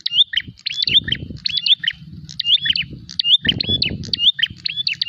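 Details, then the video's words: Agitated prinia seeking a rival to fight repeats a brisk phrase of sharp high chips and a rising whistled slur about once a second, over intermittent low rustling and handling noise. "prenjak gacor narung mencari lawan.."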